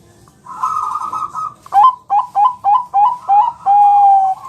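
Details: Bangkok-type zebra dove training song to make birds respond: a long rolling trill, then a run of short, upslurred whistled notes repeated rapidly, finishing in a drawn-out steady whistle.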